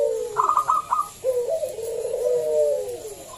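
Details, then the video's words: Local zebra dove with a big voice, used as a lure to get other doves singing: a brief run of quick clipped notes, then a long, wavering, gradually falling coo. "Pancingan Perkutut lokal SUARA BESAR"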